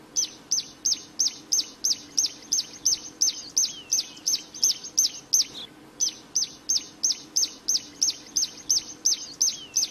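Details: Plain prinia singing in the wild, energetic and persistent: a long, even run of bright high chirps, almost three per second, each note sliding up and down, one brief pause midway, soft background hum.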